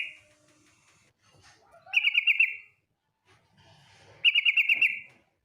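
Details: Female yellow-vented bulbul calling its male in a rapid trill: two loud bubbly rattling phrases a couple of seconds apart, each with quick beaded notes, with softer chatter and faint background noise between them.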